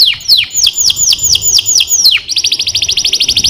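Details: A canary sings slow downward-swooping whistles, then switches to a very fast, even trill of high repeated notes.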